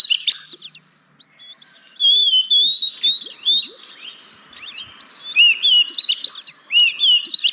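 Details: Caged oriental magpie-robin song used as a lure to make reluctant birds sing: a dense, varied run of high whistles, slurred notes and sharp chirps, with a short quiet gap near one second, then overlapping rapid phrases.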